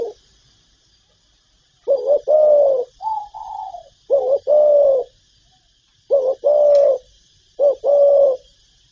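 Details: Spotted dove calling and cooing: four low phrases of a short note and a long coo, with a higher falling softer coo between the first two, over light hiss.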